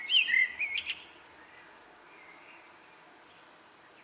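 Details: Common blackbird singing at dusk: one quick phrase of fluted whistles and high chirpy notes in the first second, then near silence with only faint distant bird sounds.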